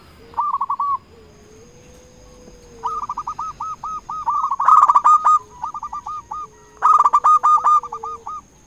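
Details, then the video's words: Local zebra dove used as a lure to draw rivals into answering; a gentle string of evenly paced coos builds into two loud, rattling bursts, with a faint steady high tone in the background. "Perkutut lokal gacor RAJA PIKAT memanggil lawan sekali dengar bikin semua perkutut nyaut"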